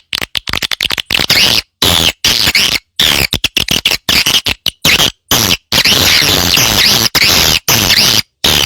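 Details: Swiftlet calls played to lure swiftlets into settling and nesting at a prepared site: dense, loud, high buzzy chirping and twittering in rapid bursts, broken by frequent abrupt silent gaps, with no other sounds.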